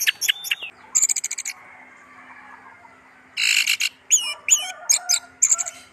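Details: Caged orange-headed thrush delivering a strong, varied song: rapid rattling note trains, then bright downward-curving whistles and chattering figures repeated in quick succession over a faint steady hum.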